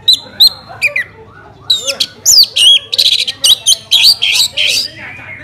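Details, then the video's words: Orange-headed thrush from Bali singing, a recording meant to prompt other birds to sing: a fast, varied stream of loud whistles, sharp slurred notes and clipped chips, almost continuous after the first second, with a low hum behind. "Pancingan ANIS MERAH agar cepat Berkicau Gacor"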